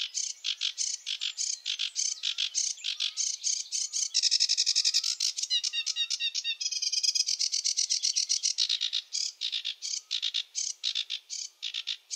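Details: Sustained sedge warbler song from a reed-bed territory: continuous rushed chattering of buzzy notes, dense rattling trills and clicking runs, with phrases shifting in random order throughout.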